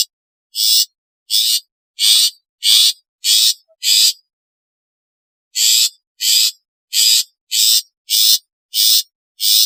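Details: Long-tailed shrike, from a set of natural, calling, alarm and lure sounds. Harsh, grating, buzzy notes about a third of a second long, given in two runs of six and seven with a pause between, against a silent background.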